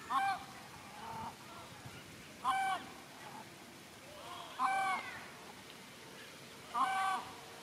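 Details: Grebe family in a Netherlands park, chicks riding on the mother's back while the father feeds them; loud harmonic honking calls in bursts about every two seconds, with softer calls between them.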